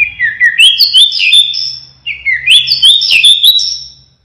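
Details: White-rumped shama of the pied 'blorok' variety, singing actively with 'siren shots': two bright whistled phrases, each dipping then climbing through rapid slurred notes with sharp high accents, separated by a short pause.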